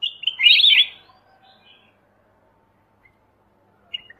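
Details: A single rich, jumbled phrase of fast slurred notes from a black-crested bulbul, followed by silence and the start of another phrase at the end.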